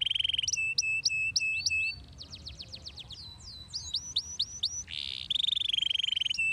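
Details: Singing canary, recorded to stimulate other canaries to sing: a rapid trill of repeated notes, a series of quick downslurs, rising whistled sweeps, a short harsh burst, then another fast trill.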